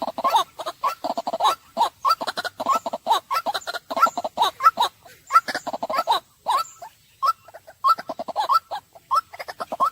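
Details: A white-breasted waterhen delivers rapid, irregular chuckling and croaking notes in dense bursts, with brief pauses between clusters.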